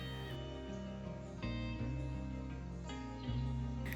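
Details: Strummed and plucked acoustic guitar music with steady low bass notes and chord changes; no animal voices are heard.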